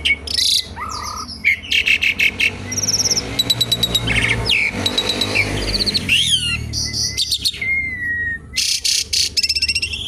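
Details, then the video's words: Asian pied starling song used as a lure and to teach other birds: loud harsh bursts, stuttering clicks and whistled slurs in a busy sequence, over a low background hum. "jalak suren gacor pancingan tembakan penambah materi isian burung"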